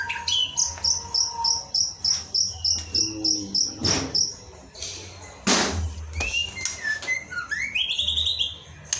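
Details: Masteran lure of white-rumped shama song for singing training: a quick series of sharp high chips, then a few loud broadband clicks and a bright rising whistle near the end, over a faint low hum.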